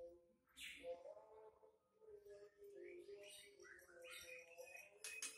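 A female greater green leafbird gives quick chirps and short whistled slides in uneven bursts, over a low steady hum that sounds like faint background music.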